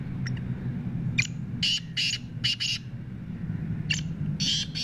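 A black francolin gives harsh, grating, clicking notes in short rhythmic bursts over a steady low hum.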